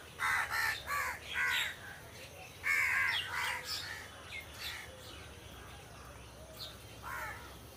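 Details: Crows in trees give a rapid series of raspy caws, several in quick succession at first, then spaced out and fading, with soft twittering from other small birds.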